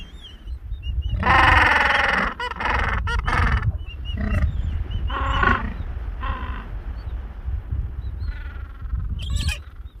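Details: Gentoo penguins as a mother feeds her chicks: loud, throaty braying calls in rapid pulsed bouts, then quieter squawks, over constant low wind noise.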